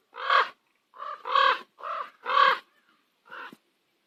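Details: Common ravens at sunset on Calgary's Nose Hill give loud, gravelly croaks about once a second, five in a row with a short pause before the last.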